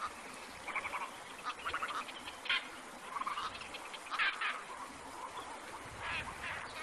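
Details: Wild black-crowned night heron: rough, croaking squawks in irregular clusters, some quick stuttered runs, against constant ambient hiss.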